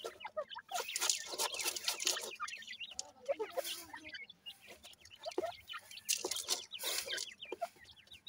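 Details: Feeding grey francolin chicks (dakni teetar) give a busy chorus of thin, downward-sliding cheeps and squeaks in bursts, with hissy scratching and pecking noises throughout.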